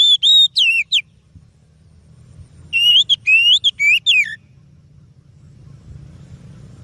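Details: Song of an oriental magpie-robin, meant as a lure: two bursts of bright, sliding whistled notes, the second longer with several rising and falling phrases, then low background rumble.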